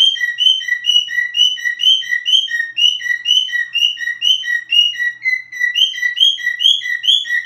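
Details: Cockatiel whistle: clear repeated two-part notes, high rising slur then lower flat tone, delivered in a brisk regular rhythm about twice per second, briefly shifting pitch near the end before resuming.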